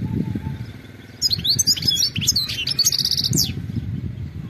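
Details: Wild European goldfinch calling, offered as a sound to make a pet goldfinch sing strongly; a burst of rapid, high, twittering and buzzy notes lasting about two seconds, ending in a short dry trill, over low rumbling background noise.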